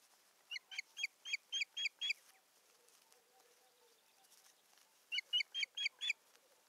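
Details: Osprey at the nest in Satakunta, Finland, on 7 May 2019, during stick bringing and busy nest work; a run of seven even, shrill whistled notes, a quiet gap, then five more in the same rhythm.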